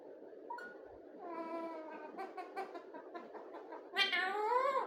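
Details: A talking parrot produces a long run of rich, speech-like harmonic syllables in quick succession, ending in a louder rising and falling cry, above a constant low hum.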